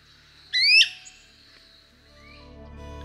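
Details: Call of a Great Crested Flycatcher, a winter migrant in Costa Rica: one loud, clear, rising whistled 'wheep' of about a third of a second, followed by faint background music.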